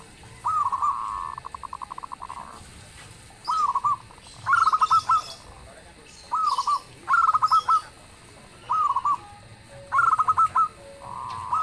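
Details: Singing local zebra doves, a loud song drawing responses from others: repeated stuttering coo phrases roughly every one to two seconds, louder rolling trills trading with softer ones, light chirps behind.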